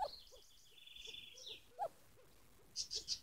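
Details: A scaled dove at its nest with two chicks gives soft, low, irregularly spaced hooted coos over a thin buzzing insect drone, with a few high, sharp chirps near the end.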